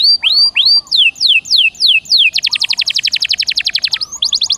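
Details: Canary song meant to get a silent caged canary singing again. A few slow, looping, up-curved whistles give way to down-slurred notes. These break into a very rapid, even trill of short pulses, then a clear upward whistle.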